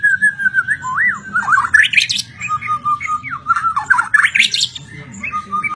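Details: Singing white-rumped shama, long steady whistled notes broken by wavering slides and upward sweeping bursts, continuous phrases over a low background hum.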